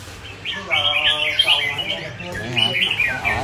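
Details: High, sweet chirping and warbled notes from a kept red-whiskered bulbul, delivered in short bursts with brief pauses, while a person talks softly in the background.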